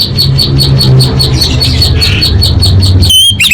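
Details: Orange-headed thrush song for contest training, full of varied material: a fast run of repeated clipped chirps at a steady rhythm, ending in a sudden clear rising whistle, with a constant low hum underneath.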